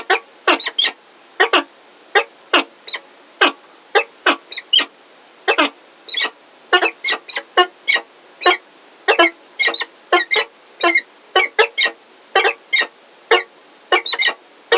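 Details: Peregrine falcons at Heidelberg, the male Zephyr with a new unringed female, 17 February 2023 around 16:23: harsh, grating calls in quick bursts, often two or three together, repeated steadily about twice a second.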